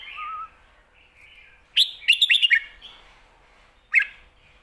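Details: Red-whiskered Bulbul, a caged competition bird, singing the Thai 'lak wai' and 'mae bot' styles: a soft low whistle first, then a loud cluster of five rapid chirping notes and one final sharp note.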